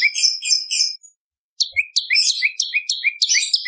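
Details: Bar-winged prinia song for tutoring caged songbirds: three buzzy, high trilled bursts, a short silence, then rapid alternating upslurred chirps and sharp high notes.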